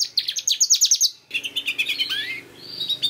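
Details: Young-canary lure: a canary gives a fast trill of sharp repeated notes, then softer chirps and a rising whistled slide.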